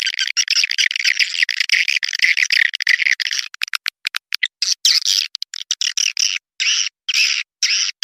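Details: Lure recording of swiftlets meant to make the birds stay overnight in a nesting house: a steady stream of shrill, buzzy twittering, breaking later into separate chirping bursts with short pauses.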